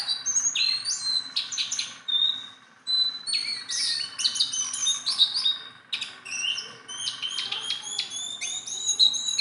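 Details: Hand-tame Sunda bulbul in full song, delivering bursts of sharp, high whistles and fast chirping strokes, a brief gap near the third second, then a dense run of clipped notes.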